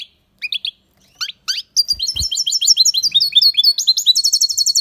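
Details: Aviary European goldfinch in loud song: a few separate chirps, then a fast unbroken stream of liquid, tinkling twitters and rolling trills, ending in a steady rapid repeated phrase.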